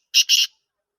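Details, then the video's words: Black francolin (Sindhi lal potiya, kala teetar) gives a quick pair of loud, buzzy, rasping notes. A person says a short word just before and after. "Sindhi lal potiya or kala teetar"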